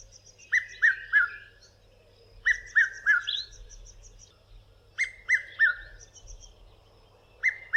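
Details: Red-chested cuckoo in southern Africa calling a loud three-note whistle, each note dropping, 'piet-my-vrou', repeated about every two and a half seconds over chirping birds.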